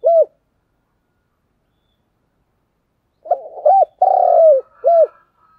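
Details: Lure spotted dove in the tense 'thúc gù' cooing style: one isolated hooked coo, a three-second pause, then a phrase of stuttering notes, a hooked coo, a long rough downslurred coo and a final short coo.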